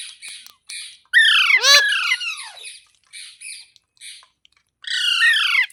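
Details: Talking green parrot giving rapid runs of raspy, downward-sweeping squawks, about three per second, with a loud burst in the middle and another at the end, softer chatter between.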